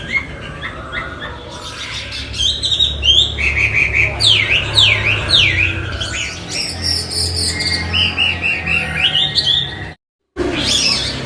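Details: Chinese hwamei (wambi) singing a varied, vigorous song: repeated rising-falling whistled loops, chattering runs and bright slurs, broken by a brief gap of silence near the end, over a low hum.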